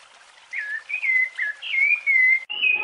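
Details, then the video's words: Rufous-bellied thrush singing the Piedade song style, used for training young birds: a short run of clear, slurred whistled notes, each sliding down and then levelling off, in a quiet background. "Canto Piedade do Sabiá Larangeira Para Treinar Filhotes"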